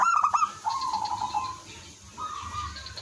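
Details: Local zebra dove singing loudly to lure and provoke replies from other doves; a clicking start runs into a long, wavering staccato coo, then a shorter level phrase.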